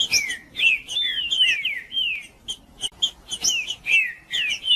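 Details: Green-winged saltator (trinca-ferro) male in provocative rival-stirring song: continuous clear whistled notes, slurred and falling, strung in rapid phrases with sharp high accents between them.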